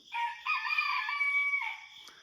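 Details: A rooster on a farm in the morning, near a coop as the door opens with crickets around, crows once: a loud harsh cock-a-doodle-doo with a short opening note, a long sustained strained middle dropping away at the end.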